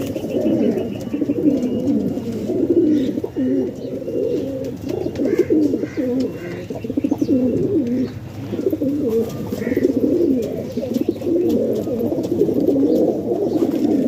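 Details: Domestic pigeons in Pakistan coo in low, throaty, rolling phrases that repeat with little pause.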